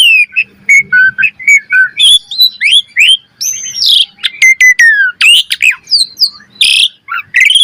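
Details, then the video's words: Varied master song of an Asian pied starling for training birds: mid-pitched whistled phrases, fast upward and downward slurs, rasping bursts and clicks delivered in a rapid, irregular stream with short gaps. "Pancingan Burung Jalak Suren Gacor Mompa Variasi - Suara Masteran Jalak Agar Gacor Full Isian Mewah"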